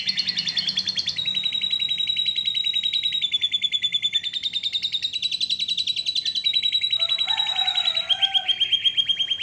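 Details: Canary delivering long unbroken gacor song: a continuous fast trill shifting between high pitches for nearly ten seconds, with a brief lower warbling passage near the end.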